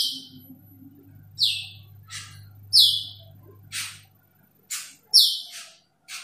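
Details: Asian glossy starling calling a rival: loud, harsh, high-pitched squeaky notes, each a short descending burst, given in an irregular series about every second, with a faint low hum behind.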